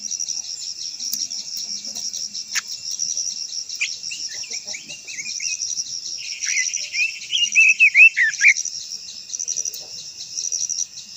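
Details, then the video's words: Japanese white-eye (quế lâm) performing a long-voiced provoking song: a rolling, buzzy warbled phrase of quick twisting notes for about two seconds midway, against steady shrill insect noise. "Chim quế lâm hót _ quế lâm hót hay giọng dài kích chim quế lâm hót"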